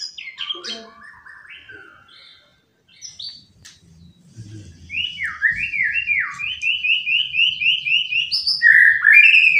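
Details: Pet white-rumped shama playing on a sofa indoors, unwilling to go into its hanging cage, sings a varied run of clear whistles and chirps, ending in a fast series of repeated rising-falling whistled notes, with faint low household rumble.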